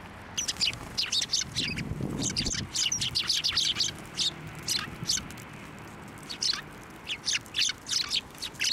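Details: Sparrows flock onto an outstretched hand for food at a Tenmangu shrine, 21 December 2023. They give busy, irregular bursts of sharp, high chirps throughout, with a brief low rumble around the second second.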